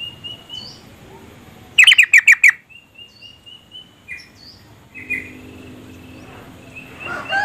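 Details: Yellow-vented bulbul female calling to prompt the male to sing; a fast rattling series of five harsh chirps, then thin whistled notes and scattered softer chirps from other birds.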